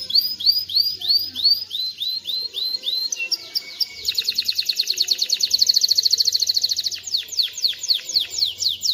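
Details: Male canary song for teaching chicks and stimulating females to mate: rising slurred whistles, a brief pause, then a dense fast trill and finally a series of descending sweeping notes.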